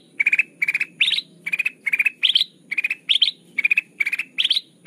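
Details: Lure recording of a kutilang emas bulbul: lively, crystal-clear chirping phrases about seventy times a minute, each a tight cluster of notes, some rising higher at the end.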